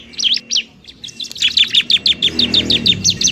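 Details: Bar-winged prinia, a semi-fluent singer, giving its fighting-style song: a fast run of sharp, high chirps that rise and fall, repeated about three times a second after a few opening notes, with low background hum.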